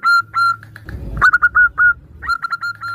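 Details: Local zebra dove female calling a male while others answer, used as a lure: clear whistled notes in short series, broken by a rustling noise burst, then resuming at a quicker pace over a low hum.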